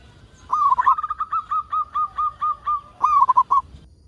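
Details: Local zebra dove in lively song, used as a lure for other doves. A rolled opening runs into about eleven steady, bouncing coos, then a final rapid tumbling burst of notes.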